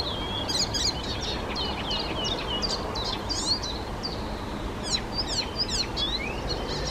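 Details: Icterine warbler in the Czech Republic singing a fast, varied stream of high chattering, whistled and sharp downslurred notes with barely a pause, over a steady hiss of background noise.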